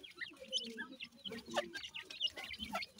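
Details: Grey francolin chicks peeping: a busy scatter of short, high, thin cheeps and chirps in quick irregular succession, with a few lower soft notes beneath.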